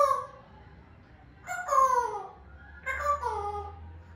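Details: Grey parrot, an African grey, giving two loud, harmonic calls that slide downward, each about three-quarters of a second long, separated by a quiet gap, with a low indoor hum beneath.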